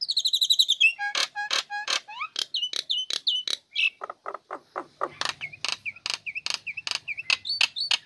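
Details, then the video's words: Female Nias hill myna singing once its cage is uncovered, a lure for lazy birds. Rapid high warbled notes open, then a long sequence of sharp clicks interspersed with short repeated dipping whistles. "Jalak Nias Betina Buka Krodong Langsung Gacor Cocok Untuk Pancingan Burung Malas"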